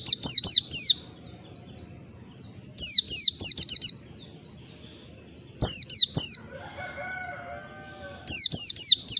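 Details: Oriental white-eye singing wild-type 'ngalas' song to stir rivals: four separate bursts of fast, high, downward-slurred whistled notes, each burst a tight twittering series, with a faint lower humming tone between the third and fourth bursts and soft background clicks.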